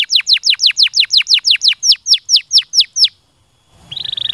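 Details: Canary giving a stimulating song: a rapid, even series of about sixteen high, sharply falling whistled notes, then a brief pause and a fast buzzy trill on one high pitch.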